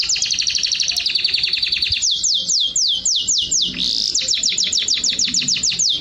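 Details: Canary in Jordan singing during mating: a dense, rapid, rattling trill, then about seven slow downward-slurred whistles, then a faster series of a dozen similar slurred notes.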